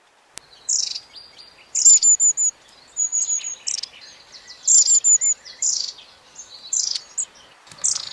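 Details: Long-tailed tit giving short, high-pitched, repetitive calls, used to keep contact within the group; thin high 'tsee' notes and buzzy bursts in clusters of three to four, repeated every second or so.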